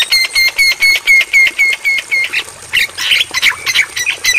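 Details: Javan myna training recording for caged mynas, to be played at night: a fast, regular string of ringing clipped notes about four per second, then a burst of harsher irregular chattering squawks.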